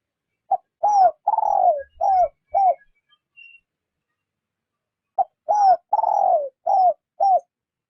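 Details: Captive spotted dove used as a lure bird for trapping, cooing gently in the rút bổi style: two five-note phrases about four seconds apart, each a short clipped note, then mellow slurred coos with a longer drawn-out, falling fourth note.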